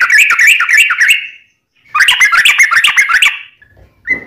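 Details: Yellow-vented bulbul singing its long rolling song for training and luring wild birds: two quick bubbling, chattering bursts separated by a brief pause, then a short whistle at the end.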